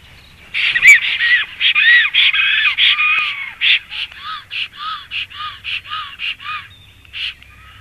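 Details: Black stork at a nest in Latvia in the evening, as the male comes home and the female flies away: a fast series of harsh, rasping, wheezy notes, some with short whistled sliding tones, about three per second, then fading to scattered calls.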